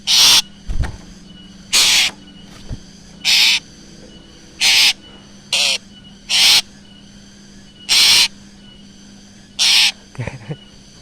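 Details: Black drongo calls used to lure birds: loud, harsh, rasping bursts repeated roughly every one and a half seconds, with a faint steady hum and occasional soft knocks between them.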